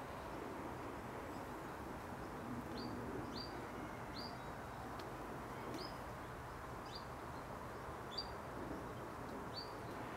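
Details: Male Common Kingfisher, recorded from a hide at four metres in 2014: short, shrill high whistles, single or paired, repeated irregularly about once a second, faint over a steady rush of running water.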